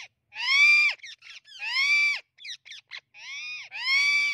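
An Amazon parrot gives loud, harsh, drawn-out screams, three long ones in four seconds, with short squawky notes between them.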